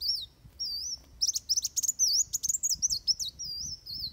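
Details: Fighting song of Van Hasselt's sunbird, used for training other birds: a high thin warbled whistle, then a dense run of sharp, rapid ticking notes mixed with twisting high slurs.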